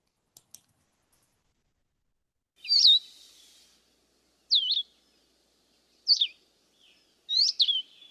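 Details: Blue-headed Vireo song: short, clear, slurred whistled phrases with no buzz, spaced by wide gaps of about one to two seconds. Four high phrases follow a stretch of near silence, with two faint clicks at the start.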